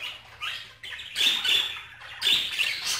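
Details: Budgerigar chatter with a thin rising squeak, then two longer buzzy, grating bursts with a whistled ring inside them.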